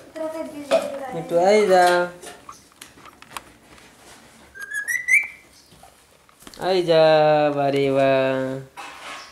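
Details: Pet parrot imitating words such as mummy and papa: drawn-out, nasal, voice-like phrases rich in harmonics, a short rising whistle in the middle, then a long steady speech-like syllable.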